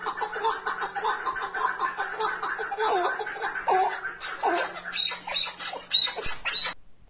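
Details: An Iraqi partridge gives a run of rapid, throaty chuckling notes, fairly deep in tone and unevenly paced, with a man's voice and a low hum underneath.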